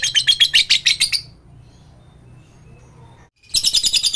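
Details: Rapid lovebird chatter meant to set reluctant lovebirds singing: a dense, high trill of quick pulses, a two-second pause, then the trill starts again.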